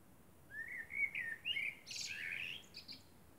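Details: Night-time song of a common blackbird beneath the moon, a run of warbled flute-like notes stepping upward, then a burst of high scratchy chatter and thin squeaks; otherwise still.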